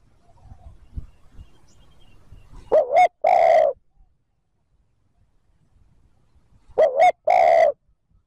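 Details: Spotted dove cooing to draw wild birds into answering. Two identical phrases sound about four seconds apart, each a quick wavering double note and then a longer hoarse coo. Faint rustling comes before the first.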